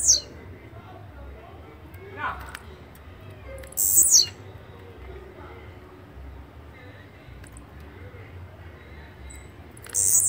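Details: High, buzzy downslurred bursts of Blue-black grassquit song, one near the start, one around four seconds and another at the end. Faint low chirps fill the gaps.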